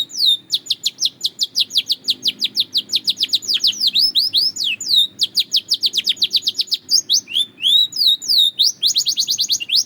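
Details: Belgian canary singing steadily: long rolling trills of sharp repeated whistled notes, broken by short swooping phrases, then back into rapid rhythmic tours.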